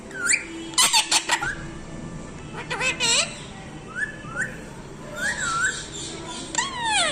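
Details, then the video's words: Talking parrot giving harsh squawking bursts mixed with clear whistled notes, some rising and falling, some sliding downward, scattered irregularly over several seconds against a steady background hiss. "TELKING PARROT"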